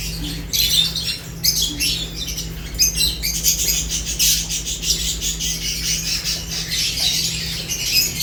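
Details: Lovebirds chirping during a meal, with piercing twittering notes in quick pulsing runs that continue throughout, and a low hum in the background.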